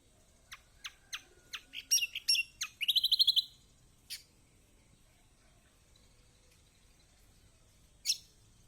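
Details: Kecial kombok song played to coax a silent kecial kuning into answering: a series of high, thin chips speeding up into a short, rapid trill, then a long pause broken by isolated sharp notes.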